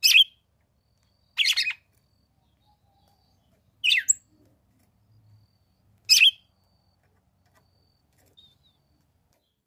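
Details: Female red-cowled cardinal calling to stimulate the male, recorded in summer in the caatinga of the Brazilian sertão; short sharp high chip-like notes repeated every two seconds or so, with faint background noise.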